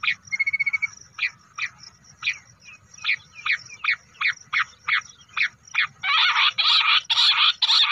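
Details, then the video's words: Bush quail, lahori awaaz hunting call: a quick stutter opens a run of evenly spaced short chirps, which give way to loud, grating, rapidly repeated churring bursts at the end. "quail calling hunting | bush quail sounds lahori awaaz"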